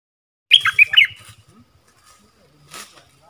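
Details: Stripe-throated bulbul song on 1 April 2021, a caged bird and wild birds calling nearby: one quick liquid warbled phrase of three or four notes, then a faint scratchy sound and low rumbling.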